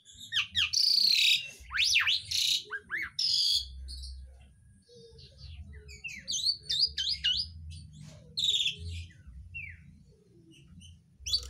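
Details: Asian pied starling singing with mimicry of other birds such as green leafbird, magpie robin and sooty-headed bulbul; varied whistles, rising and falling sweeps and harsh chattering notes in rapid bursts, with a low hum beneath.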